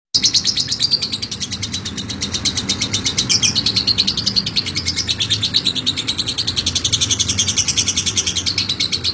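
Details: Lovebird, a national champion, giving long continuous ngekek chatter: rapid high buzzy trilled notes pouring out without break throughout, with a steady low background hum.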